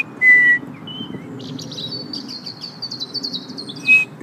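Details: A European robin, likely the male, sings its territorial song, a thin high phrase: a pure whistled note, a fast tinkling run of high twitters, then another clear whistle, over a low steady rumble. Robins defend territories with song almost year-round.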